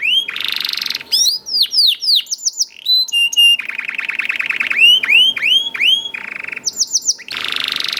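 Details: Canary youngster in full song meant to prompt other canaries: bursts of dense buzzy rolls alternate with quick chains of descending whistled notes and metallic trills, nearly nonstop.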